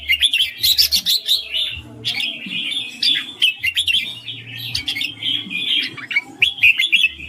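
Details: 'Ring' song of a red-whiskered bulbul: quick sequences of sharp chirps and twittering notes, repeated in lively bursts for several seconds, over a soft intermittent low hum.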